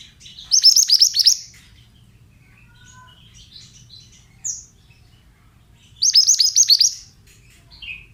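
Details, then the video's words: Pied bushchat, male, mountain type, repeating a rapid phrase of about eight sharp falling whistles lasting under a second. The phrase comes twice, about five seconds apart, with soft isolated chirps in between. "Terapi Suara Burung Mantenan"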